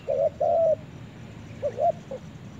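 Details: Spotted dove in a forest, two low coos, the second long and drawn out, then a softer, fainter pair of short coos after a brief pause.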